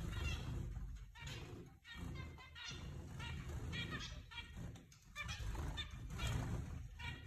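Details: A flock of zebra finches in the owner's aviary gives nasal, honking beeps that overlap in an irregular, busy chatter, several calls a second over a steady low rumble.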